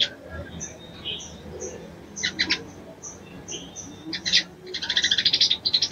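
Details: Mating call of a female crimson sunbird for a male: sparse, faint high chips at first, then a burst of loud notes and a fast, even rattle of chirps at the end.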